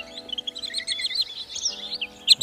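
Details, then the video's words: Common sandpiper lure recording used for bird trapping in the 2024 season: thin, high, rapid piping notes tumbling over one another, with a steady low electronic hum underneath. "Tiếng rẽ hôi"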